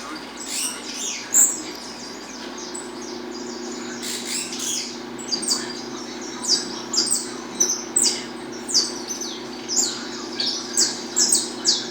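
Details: Peruvian saffron finch singing 'estalando': after a few scattered high notes comes a rhythmic run of sharp descending chips, roughly two per second, continuing to the end over a low constant hum.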